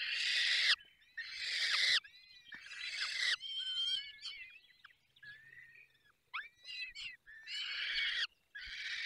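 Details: Falcons at their nest in Poland's Barycz Valley during a feeding. Loud grating screeches come in bursts of about a second, mixed with thinner squealing and chittering notes in the middle.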